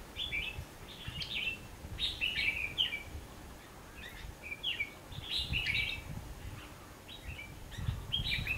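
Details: At a bulbul trapping session on 19 November 2015, a red-whiskered bulbul sings lively, jumbled phrases of rising and falling whistles, almost continuous, with low rumbling background noise.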